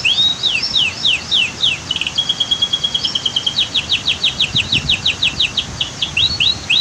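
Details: Canary song from an Indonesian masteran training recording set beside a rushing waterfall and dam: quick falling high syllables, a held level whistle near two seconds, then a long run of fast repeated notes, over a steady roar of water.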